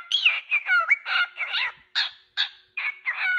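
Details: Cockatiel giving harsh, raspy chattering calls mixed with short whistled slides, delivered in quick uneven bursts with brief pauses.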